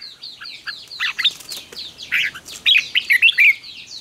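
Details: Red-whiskered bulbul singing a fighting song for training captive birds: rapid high slurred notes, with bursts of richer warbled phrases near the start and a loud, bright cluster in the final second and a half.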